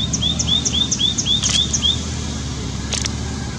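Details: White-naped tit calling continuously: a fast series of about eight short, clear, upslurred whistled notes, roughly four per second, then a pause with a faint click, over steady low background noise.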